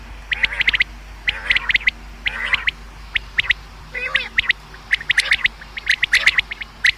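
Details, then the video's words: Common quail calling, a sound used for hunting: clipped, sharp notes in rapid groups of two to four, repeated about once a second, with one nasal buzzy call in the middle over quiet background. "Bedana new common quail sound | शिकार के लिए बटेर की आवाज | btair ki awaaz"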